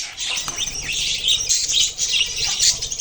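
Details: Budgerigars warbling and squeaking in a thick, unbroken babble, with soft fluttering wingbeats and low rustles beneath the chatter.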